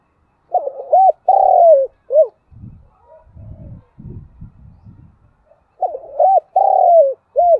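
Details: Cooing of a trained spotted dove used as a decoy to call in wild birds: two rhythmic coo phrases ending in a clipped note, with soft low rustling and knocking heard between them.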